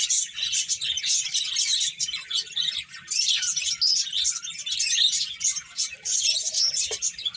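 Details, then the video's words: Several finches chirp while playing, a busy chorus of rapid high tweets and short notes running without break, with a few brief lower notes mixed in. "Beautiful Birds Chirping Sounds | Cute Finches Playing"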